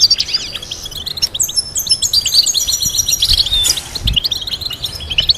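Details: European goldfinch singing complex melodies intended for teaching other goldfinches: quick, bright twittering, rattling trill series and thin high notes flowing steadily, with faint low thumps.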